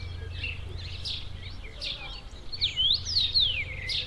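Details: Common rosefinch singing in spring at the start of the breeding season in the northern hemisphere: a short phrase of four or five clear, slurred whistles rising and falling, other birds chattering faintly over a low rumble.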